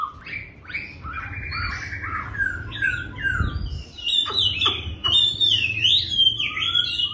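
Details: Chinese hwamei greeting the new day in song, opening with short repeated buzzy notes and then breaking into looping whistled phrases that swoop up and down, loud and varied.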